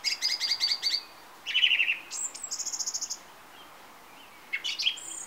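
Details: On a summer evening, a song thrush perched on a TV aerial delivers rapid repeated stuttering notes, high thin trills and a brief scratchy phrase after a pause, each motif given several times.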